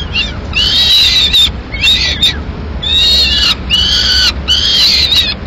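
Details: Female peregrine falcon feeding a pigeon to two chicks at the nest, Madrid, 21 May 2016. Four long, grating, harmonic wailing screams rise slightly then fall at the end, separated by brief pauses.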